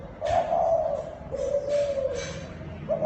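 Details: Low, mellow coos of a Thai dove used to stir up newly caught birds, with two smooth sustained notes in a row and the start of a third at the end.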